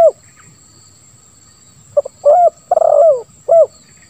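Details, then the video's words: Spotted dove giving lambung kuk 1 song with a ngeruk sound: short low coos, then a rough, stuttering rolled coo, ending with a single clear coo, over a continuous high insect drone. "Suara Tekukur Terbaru ll Lambung Kuk 1 Suara Ngeruk"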